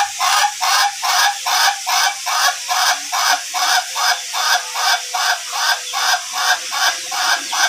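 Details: Long-duration type Ayam Ketawa (laughing chicken) in training for a drawn-out crow: a very even string of loud, hoarse, laughing pulses, roughly two or three per second, running on without a break.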